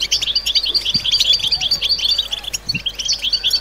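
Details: Several goldfinches in a collective mating chorus used to rouse silent birds and excite females, giving rapid high liquid twitters and metallic chips in an unbroken overlapping stream, with a few soft low thuds.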